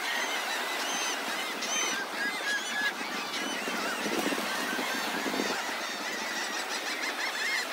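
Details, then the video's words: Large gathering of seagulls on the beach at Delnor-Wiggins Pass State Park, Naples, Florida, in the morning: many faint, overlapping nasal calls blur together under a steady wash of surf noise. "Lots of Seagulls at Delnor-Wiggins Pass State Park in Naples, FL"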